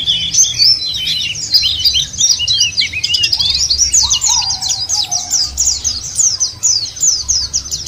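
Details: White-eyes used as a lure to set caged birds singing: a dense, fast chorus of high, thin, twittering warbles, overlapping without pause, with a few lower, drawn-out whistles from other birds beneath.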